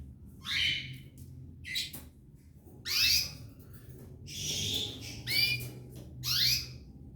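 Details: Belgian canary pair with three chicks in the nest; hoarse, rasping begging cries come in short bursts about every second or so, with faint whistled notes inside them over a low background hum.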